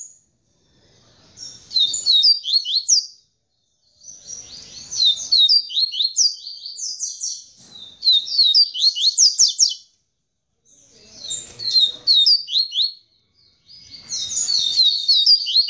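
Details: Captive male double-collared seedeater singing the tamborete style after mating with the female: bursts of rapid, high buzzy slurred notes about two seconds long, separated by short pauses, repeated five times.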